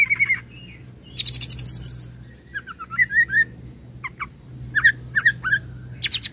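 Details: Oriental magpie-robin rolling song with cililin and serindit imitations: high buzzy rattles, short rising whistles and sharp chips, heard over a steady low electrical-sounding hum.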